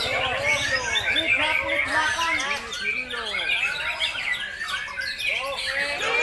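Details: Captive white-rumped shama, a breeding parent bird, singing without pause, recorded 26 September 2021; dense overlapping whistled and chirping phrases with constant chatter from many other birds and brief human voices.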